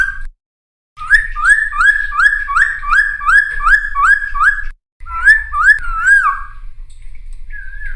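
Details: Energetic full-variation Cucak timor song used to lure and tutor young wild-caught birds: looping upslurred whistles repeated quickly in a steady run, then a few wavering whistles and a softer note, with short gaps and a faint low hum beneath.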